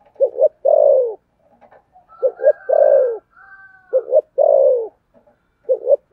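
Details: Spotted dove cooing in the thổ sấm voice with a hurried delivery. Paired stuttered notes and long falling coos repeat, and faint thin higher whistles sound in the middle gap.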